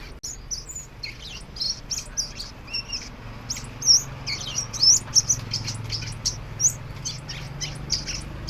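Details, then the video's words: Crimson sunbird singing as it dances: a lively, jumbled stream of very high, squeaky chirps and short trills, some louder sharp notes standing out, over a soft low hum. "hút mật xác pháo hót múa"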